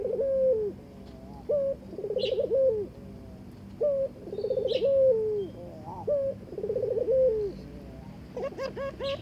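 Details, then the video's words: Barbary dove courting the partner it was given: rhythmic rolling coos with long drawn-out falling endings, repeated about every two seconds, with a few faint high chirps above and a flurry of sharp notes near the end. "burung puter ngajak kawin"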